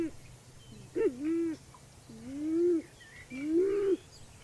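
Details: Band-tailed pigeon (Patagioenas fasciata), a large North American native pigeon photographed at Oak Glen, California, giving three very deep, hooting coos, each swelling and sliding in pitch, about a second apart over a faint low hum.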